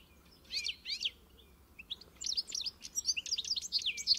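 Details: European goldfinch encarte song: two loud chirps open, a short pause follows, then a rapid cascade of tinkling, high twittering notes builds steadily in loudness to the end.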